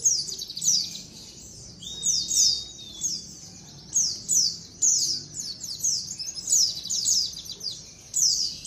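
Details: Colony of white-eyes calling, played as a lure to attract wild birds. Dense high chirps and downslurred tweets overlap in steady bursts, with one long thin level whistle early on.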